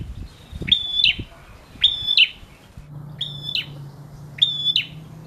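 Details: Four high, clipped phrases from an energetic male prinia meant to provoke other prinias to sing; each whistle is bracketed by sharp clicks, with a low droning hum entering partway through.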